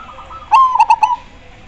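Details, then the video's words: Zebra dove, perkutut, delivering one loud gacor coo phrase: a sharp opening note followed by three quick rolling bubbling notes, preceded by faint softer coos from another bird. "Majapahit super gacor suara nya bikin pada emosi dan pada nyaut"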